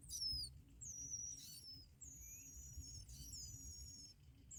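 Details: Bar-winged prinia young fed black locusts by both adults: long, thin, very high whistled notes, some drawn out and gently falling, with a few shorter chirps over low background noise.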